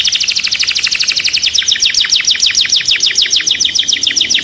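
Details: A worked-up caged canary sings a long, rapid trill of short high notes, the syllables gradually lengthening into quick falling slurs, evenly repeated throughout.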